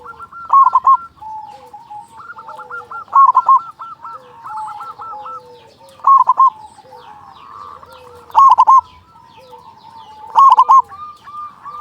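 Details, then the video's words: Local zebra dove with a loud, big voice, used as a lure to stimulate other doves to sing: bursts of rapid, stuttering cooing notes repeat roughly every two to three seconds, with softer drawn-out coos continuing between them. "Perkutut lokal gacor suara besar pancingan burung perkutut agar cepat bunyi"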